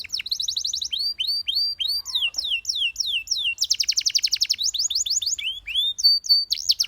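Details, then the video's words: Singing canary delivering rapid chopped trills, clusters of curved downslurred whistles and a dense fast roll, with a brief steady high note near the end, all at close range. "How Beautiful The Sound of Dancing Canaries That Many People Like"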